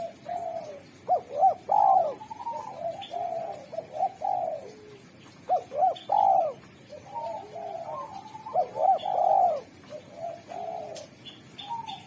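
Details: Cooing of a spotted dove with a clear, melodious voice that calls in wild doves: phrases of two short coos and a long husky coo, followed by softer rolling notes, repeated about every four seconds.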